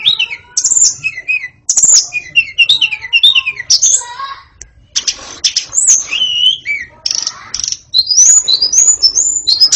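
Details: White-rumped shama pouring out a long, varied song meant to make young birds chatter: tumbling whistles, squeaky upslurs and harsh chattering bursts, with short pauses between phrases.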